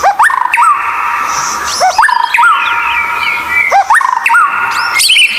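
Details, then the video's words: White-rumped shama therapy song for captive birds reluctant to sing: a short phrase of rising and curling whistles repeated about every two seconds, each over a steady, buzzy tonal hum. "Masteran murai batu langka Suara aneh super gacor buat therapy Murai malas bunyi"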